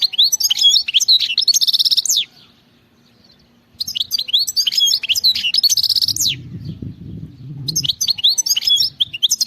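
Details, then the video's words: Song of a wild European goldfinch: repeated bursts of bright, high twittering notes mixed with short buzzy trills, separated by brief pauses, with a soft low rumble in the background. "غناء خلوي صوت وصورة نقية جدا من أروع ما ستشاهد على منصة اليوتيوب HD video singing carduelis"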